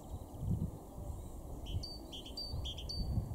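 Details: A great tit in a garden in Weener, East Frisia, northwest Germany, in March 2023, giving short, high notes alternating between two pitches in a quick repeated pattern, over a steady low rumble of wind or distant traffic.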